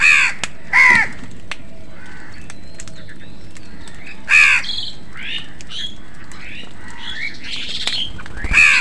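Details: Crows competing with other birds for food outdoors: loud, harsh, rasping caws at about one, four and nine seconds, with thinner chirps and whistles from smaller birds between them over a steady low background rumble.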